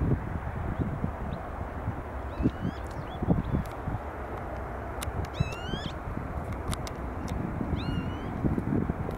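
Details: Black-winged stilt at Leiderdorp, Netherlands, 1 May 2019, gives a few short, nasal, yelping calls in scattered bursts over a steady low rumble of wind or distant traffic.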